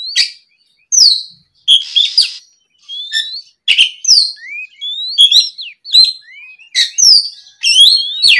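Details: Oriental magpie-robin singing in the afternoon as a lure for other birds, a continuous string of varied whistles, sharp chirps and slurred rising and falling notes delivered in quick, irregular bursts.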